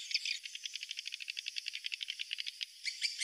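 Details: Swiftlet roosting call heard as a quiet, fast series of sharp high clicks and chips, roughly ten per second, steady and even, over faint hiss.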